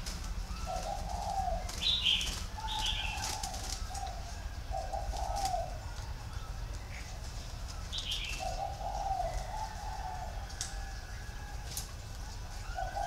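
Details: Plain three-note 'cúc cù cu' cooing of a spotted dove in thổ pha style, soft low hoots in two phrases separated by a pause, with scattered chirps of small birds and light clicks.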